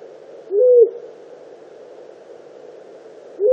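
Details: Disturbed long-eared owl near its nest giving a low, hollow note that swoops up and then holds, repeated about three seconds later over a steady background hiss.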